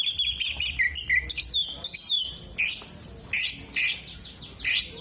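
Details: Oriental magpie-robin mimicking hummingbird, bearded bird and lovebird: a rapid, varied warble of twisting whistles, followed by several loud, harsh, buzzy chirps spaced about half a second apart.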